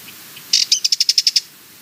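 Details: Sardinian warbler rattle: a quick harsh opening then about eight crisp, evenly spaced ticks in under a second, high-pitched, preceded by two faint soft notes.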